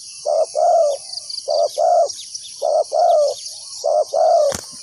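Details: Spotted dove used to lure wild doves gives three rounds of low paired coos, short then long and falling, evenly spaced, over a high insect drone, ending with a sharp click.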